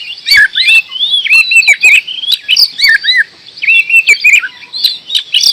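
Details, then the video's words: Oriental magpie-robin (kacer) singing in the energetic gacor door style: a rapid run of varied whistled slurs, rising and falling, mixed with sharp clicks and harsh chips, near-continuous for the full length. "Kacer gacor door"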